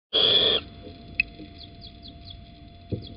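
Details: At Holten on 9 April 2020 at 07:10, as the male little owl brings an earthworm, one harsh, hissing screech of about half a second is heard, then faint high chirps of small birds and a couple of soft knocks.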